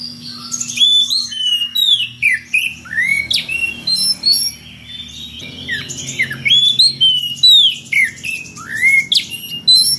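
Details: Oriental magpie-robin in continuous ngeplong song calling a rival, packed with unusual variations: loud, rapid sequences of whistled slurs and squeaky chips in dense repeated bursts, a faint hum below.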